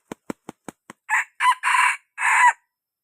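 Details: Young red junglefowl crowing as a lure call to draw birds in. Five sharp clicks open, then a four-part crow: two short notes, a long sustained middle note and a final falling note, clear against silence.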